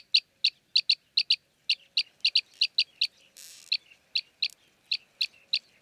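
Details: Arabian green bee-eater (Merops cyanophrys) in Jeddah, Saudi Arabia, gives short, high, clipped notes, about three per second, some in quick pairs, with a brief rustling burst midway.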